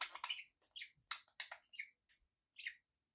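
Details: Pet budgies chirp in a lively string of harsh, high notes packed close together, easing into a few spaced chirps before going quiet.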